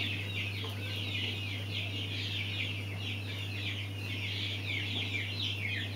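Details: High, thin cheeps from a group of mountain quail chicks overlap in a constant twittering wash, with a low steady hum underneath.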